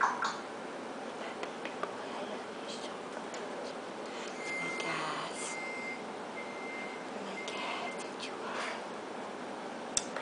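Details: Indoor room noise with faint voices and a few steady electronic beeps; no animal is heard.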